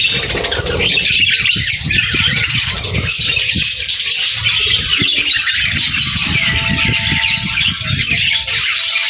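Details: Pairs of budgerigars chattering to each other: a dense, continuous wash of scratchy warbles and chirps, with low rumbling background noise throughout and a few faint steady tones near the end.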